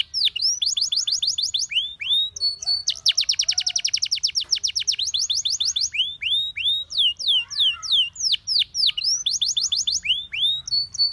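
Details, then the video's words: Canary song used to train canaries to sing: continuous varied phrases of swooping whistled slurs, a long rapid even trill, and further rolling trills and falling notes with no pauses. "Your canary immediately sings when you hear this canary chirp"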